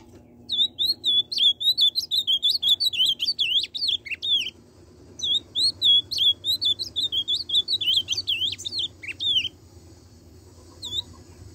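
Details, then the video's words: Ultramarine grosbeak delivering tucano-style song in two long phrases of quick, rippling whistled notes, each about four seconds, separated by a brief pause and followed by a single faint note near the end; low hum beneath. "Azulão tucano"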